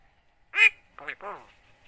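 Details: Javan myna imitating the spoken greeting Assalamualaikum: one sharp, loud nasal syllable followed by two softer, lower, wavering syllables, like a short mimicked word.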